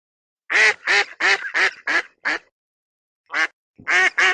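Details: Duck quacking loudly and hoarsely: six quick quacks that grow softer, a pause of about a second, then three more strong quacks.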